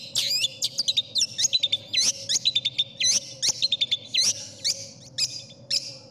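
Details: Cendet, or long-tailed shrike, tutor song said to be sought by judges: quick groups of high, looping whistles and sharp upslurred chirps in uneven phrases, with a low steady hum behind.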